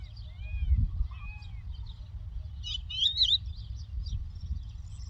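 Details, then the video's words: Lark singing in the Doukkala countryside: two slurred, arching whistles, then a bright burst of rapid, twisting high notes near the end, over a steady low rumble. "The Lark Tweets صوت الطبيعة: تغريد القبرة"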